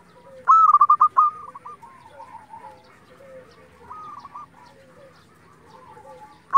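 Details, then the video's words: Local zebra dove song used to lure and provoke other zebra doves. One loud burst of fast clipped coos early on, followed by softer rolling coos from other doves. "pancingan perkutut lokal gacor"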